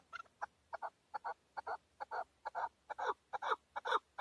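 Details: In Tajikistan, 2020, a male chukar partridge delivers evenly spaced, grating chuk-chuk notes about two per second, each growing fuller and louder through the sequence.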